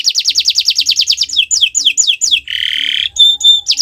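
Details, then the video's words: Canary on a Friday morning delivering a very fast series of descending whistled notes, slowing into spaced downward slurs, then a loud harsh buzzing rasp and a thin metallic tone. "Gacoran Burung Kenari di Jumat pagi"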